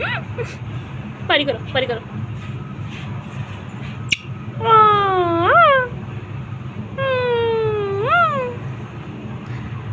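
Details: Parrot talking with its owner on a roof: scattered short chatter, then two long, harmonic, wavering speech-like phrases that dip and rise, with constant low background noise.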